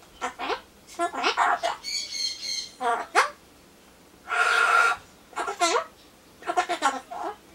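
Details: Ducorps's cockatoo (Solomons corella), a talking pet, chatters to itself in short harsh, nasal word-like bursts of Japanese phrases while waiting for pumpkin, with one drawn-out squawky phrase midway, quiet room otherwise.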